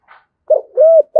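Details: Spotted dove cooing in the 'giọng thổ' style: a short coo, then a longer smooth rising-and-falling coo, low-pitched and clear, with a faint soft sound at the start.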